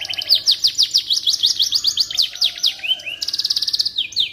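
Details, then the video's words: Singing canary, offered as a master song for white-rumped shamas: a long run of sharp, rapidly repeated downward chips, then rising slurred whistles and a fast high trill at the end. "Suara Burung Kenari"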